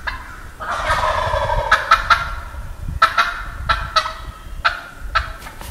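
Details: Loud rattling gobble of a wild turkey on a Wisconsin woodland morning, a long rolling burst followed by a string of sharp clicking notes.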